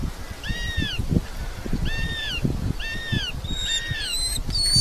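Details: Red-footed falcon at a nest in Polgár, Hungary, during the 2024 breeding season: three shrill, arched calls with bright harmonics, about one per second, then higher, sharper notes over steady low rumbling noise.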